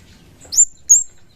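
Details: Chestnut-capped thrush call used as a lure to draw birds into answering: two sharp, very high whistled notes, each a quick upward slur that levels off, about a third of a second apart, over faint low background hum.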